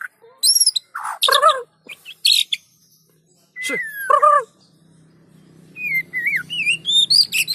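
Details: White-rumped shama song played to encourage other shamas to sing: scattered loud harmonic squawks and a descending whistle, then a quiet gap and a closing run of rising and falling whistled notes.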